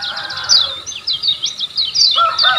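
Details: Lemon-bellied white-eye from Lombok, a lively singer used as a master recording to train caged birds; rapid high twittering with quick rising and falling notes, then brighter chirps after a short lull.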